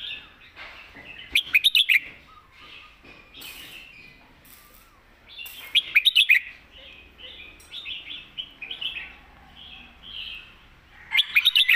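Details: Red-whiskered bulbul in the southern Thai master song style: clusters of sharp, rapid chirps about every five seconds, linked by softer warbled, slurred notes over a quiet background.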